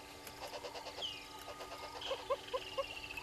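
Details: Red-billed hornbills below the waterhole camera at Gowrie dam, Djuma Game Reserve, Sabi Sand, South Africa, 06:32 on 03/07/2022: a run of hollow clucking notes, about four a second, with another bird's thin whistles and a low hum.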